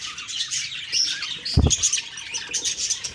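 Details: Several budgies twittering in the morning, October 2, 2023; high scratchy chirps and thin whistled notes run throughout, with a brief low thud midway.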